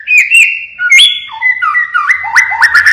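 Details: Pied-marked white-rumped shama in full song: loud clear whistled notes that hold steady, then break into quick upward-sweeping slurs and sharp clicks, several short phrases in three seconds.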